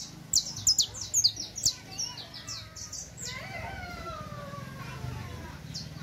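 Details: Saffron finch song for teaching: a quick series of high, sharp chip notes over the first two seconds, then fading into steady background noise with faint sliding tones.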